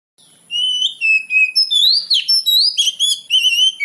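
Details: Oriental magpie-robin song used as a training lure to make young magpie-robins answer: varied clear whistled phrases, rising and falling slurs and high sweeps, delivered in quick bursts with short gaps.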